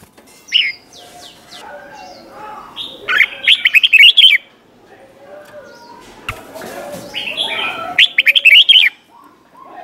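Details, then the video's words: Red-whiskered bulbul song in the doubled 'beun' style, '100 Archeep' tune, used for training young birds: two rapid bursts of chirpy warbled notes about five seconds apart, with softer chatter and other background sounds between. "เสียงนกกรงหัวจุกเบิ้ล เพลง100อาชีพ สำนวนเพราะมากๆ สำหรับสอนนก-ปั้นนก"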